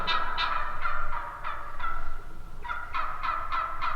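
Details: Wild turkey yelps, roughly three per second, rough and nasal, delivered in two runs with a brief gap in the middle, about a dozen notes in all.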